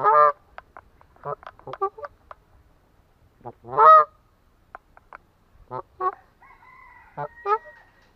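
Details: Canada goose, a waterfowl whose deep honking carries far: loud nasal honks with harsh harmonics, scattered irregularly, one long strong honk midway, plus a few thin high squeaks near the end.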